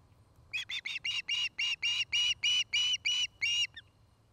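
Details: Osprey pair's nest at Charlo, Montana, recorded by a nest camera on the afternoon of 09-05-2018; a series of about eleven high whistled notes, starting short and growing longer, about three per second.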